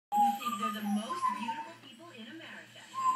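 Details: Pet African grey parrot talking loudly while competing with a television for its owner's attention: a stream of speech-like babble with voiced, wavering tones and shifting pitch, pausing briefly before a final rising phrase.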